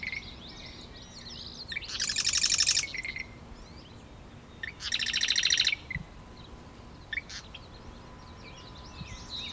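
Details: Male marsh wren singing by its nest in a cattail pond, Taquanyah Conservation Area near Cayuga, Ontario: two loud dense mechanical rattling trills about three seconds apart, each led by scratchy notes, with softer wren chatter between.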